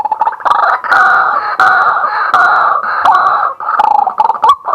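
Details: Male White-breasted waterhen calling in daytime, recorded live on a fixed camera: an unbroken, loud, harsh, rasping, croaking outburst with a few brief breaks and short notes near the end.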